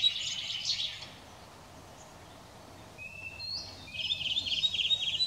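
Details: Redwing (Turdus iliacus) song, recorded 18 April 2021: a fast high chatter, a pause, a clear level whistled note, then a rapid high twittering trill, with constant soft outdoor noise behind.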